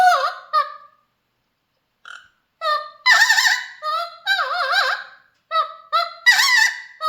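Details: Captive Mealy Amazon parrot singing a series of nasal, harmonic notes, some steady and some warbling with strong vibrato, delivered in bursts separated by brief silences, with no other sounds.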